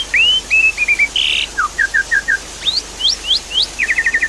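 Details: Javan pied starling song used as a lure to restart a silent bird. Rising whistles, a rough buzzy note, a string of short descending chirps, quick upward slurs and a closing rapid chatter, roughly three notes a second.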